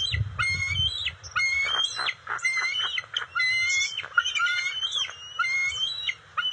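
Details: Nesting bald eagles with eaglets, June 27, 2021, during a fish delivery by the female: a rapid chatter of high, squealing whistles and piping notes, bursts separated by short gaps, faint low rumble underneath.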